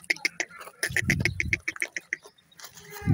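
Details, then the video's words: Teetar, the local name for francolin, calling near a male bird and chicks: a quick run of short, bright, high chirps repeated several times a second, partly over low murmuring and handling noise. "teetar awaaz"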